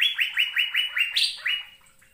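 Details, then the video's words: Rapid phrase from an Asian fairy-bluebird on a recording for training caged birds to sing: about seven clear, upslurred whistled notes, one leaping higher near the end, then fading to quiet. "BURUNG CUCAK BIRU GACOR"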